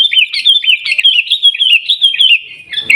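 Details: Steady run of bright, wavering whistles from a sooty-headed bulbul in Gaya Garuda style, Pidie, Aceh, the phrases looping up and down without a break for nearly three seconds.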